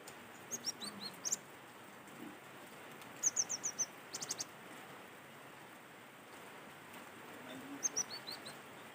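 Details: Cinereous tit singing naturally, a recording used as a lure to get other cinereous tits singing; three short phrases of high, thin notes, each sliding down quickly in runs of four to six, over a steady soft hiss.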